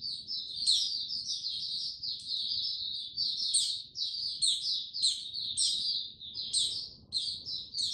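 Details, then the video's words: Caged white-eye recorded 6 March 2022, gaining confidence to open its song; unbroken fast stream of high, sweet twittering and sharp chirps, very clean with little background sound. "Mata Puteh Before he open buka Tsunami Video 1 gaining confidence to buka slow n steady"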